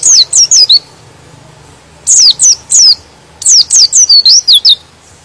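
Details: White-eye song said to agitate other white-eyes into singing: short clusters of four or five high, falling chirps, broken by brief pauses, with the last cluster longest and most rapid.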